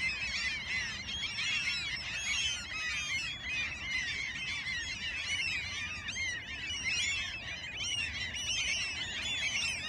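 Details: Alaskan gulls calling together in a noisy crowd: constant overlapping high mewing and yelping cries from many birds, steady throughout, over a faint low background rumble.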